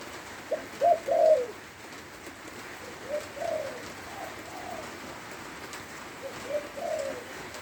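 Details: Spotted dove in Lopburi, Thailand, cooing while it rains: a strong opening pair of throaty coos, then quieter scattered coo phrases throughout, over a hiss of falling rain.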